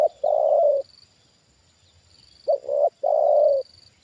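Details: Trained spotted dove reacting to a wild bird coming down again, cooing deep and hollow: a long held coo, a gap of nearly two seconds, then a quick double coo and another long drawn-out note; faint high whine behind.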